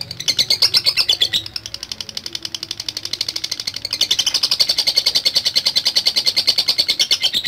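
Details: Lovebird in long ngekek chatter, a dense rapid rattle of high scratchy notes that falters near the middle, then surges back into a sustained, unbroken chattering stream.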